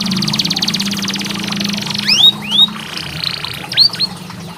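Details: Canary singing as a training model for canaries slow to sing: a rapid buzzy trill for about two seconds, then a few loud, sharply swooping whistles, with a low hum underneath.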